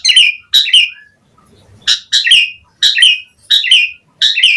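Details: Asian pied starling in lively singing full of varied phrases, here short harsh squeaky bursts, each a double note, repeated roughly once a second with silent gaps.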